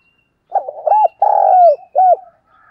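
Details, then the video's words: Spotted Dove, a decoy bird cooing in the morning, gives a low, hollow coo phrase of about four notes over two seconds, the long middle note drawn out and falling slightly. "tiếng cu gáy mồi gáy gọi buổi sáng"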